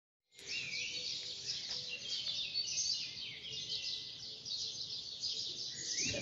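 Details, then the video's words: Birds singing outdoors: a continuous, fairly quiet chorus of overlapping high chirps and twitters, with one clearer rising whistled phrase near the start and soft background noise. "canto uccelli"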